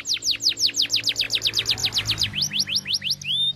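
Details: Walnut-style canary song for tutoring young canaries, made of a long even series of falling whistled sweeps, then faster rising notes and a brief high whistle at the end.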